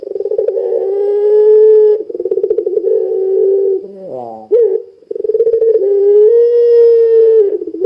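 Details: Puter pelung dove call meant to get other puter pelung calling: throbbing purrs flowing into long low coos, broken midway by a hoarse rising-and-falling note, then another extended coo.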